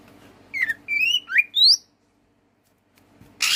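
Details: Greater green leafbird, a songbird kept for its song, giving a short phrase of clear whistled notes, some sliding up and some down, packed into about a second, then silence before a brief burst of noise.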